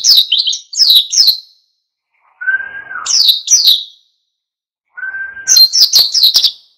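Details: Oriental white-eye in full, wild-style song used to stir other birds to sing along: clusters of sharp, high chittering notes broken by short pauses, with two level lower whistles between the bursts.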